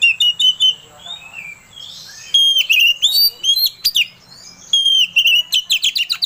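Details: Oriental magpie-robin (kacer) lure song to excite another bird into singing, with clear whistled notes, downslurred sweeps and rapid scratchy chatters in quick, irregular bursts.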